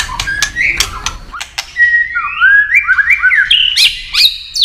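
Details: White-rumped shama in contest singing: a few clicks and short notes, then a long flowing whistled phrase that steps upward through slurred, warbling notes into a high finish.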